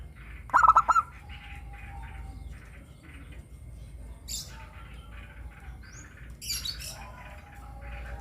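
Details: Local zebra dove with a clear 'crystal' voice, used as a lure to prompt captive doves to sing: one quick phrase of stuttered cooing notes near the start, followed by scattered soft chirps from other small birds.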